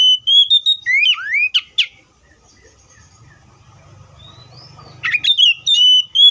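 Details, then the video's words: Oriental magpie-robin singing: clear rising and falling whistled phrases with sweeping slurred notes, a pause of about three seconds with faint low rumbling, then another bright burst of whistles. "THE BIRD COPSYCHUS SAUCARIS VOICES MUCH LONG LIKE IN NATURE!"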